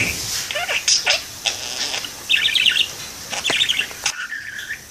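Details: A pet parakeet at a window chatters in short high twittering bursts and sharp chirps, separated by brief pauses.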